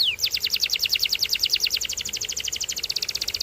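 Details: Canary singing: a brief downward whistle followed by a long, steady, fast trill of bright repeated notes, slowing very slightly toward the end.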